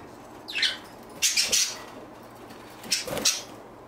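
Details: Three short bursts of bright, buzzy chirps from a pet budgerigar three years and five months old, spaced about a second or more apart with quiet pauses between.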